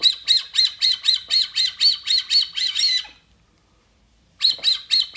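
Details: A Brazilian teal attracted by playback in the wild gives a fast series of harsh, squawky notes, about four per second for three seconds, then pauses before the series resumes.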